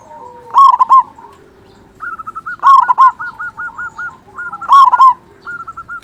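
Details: A local zebra dove with a big voice, used to excite and lure other zebra doves, repeats a rapid three-note coo burst about every two seconds. Lighter strings of quick, even coos come between the loud bursts.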